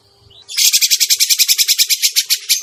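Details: Lure call of the grey-cheeked bulbul for trapping birds, beginning with a short thin whistle, then a loud, rapid run of harsh rasping chatter notes repeated evenly, roughly seven per second.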